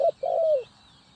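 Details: Decoy spotted dove from Ninh Thuận, Vietnam, used in trapping: a single short coo then a long, smooth, gently falling note lasting about half a second, over quiet background hiss.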